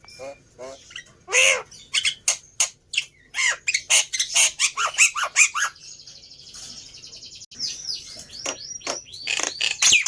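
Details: Black-winged myna (jalak putih) song used as a lure to trigger a silent bird: varied harsh chatters, croaking notes and squeaky whistles, ending in rapid rising and falling squeals.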